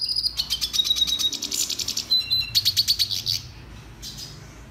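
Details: Red siskin song training: a rhythmic series of high buzzy chirps and trills, then fading to quiet near the end.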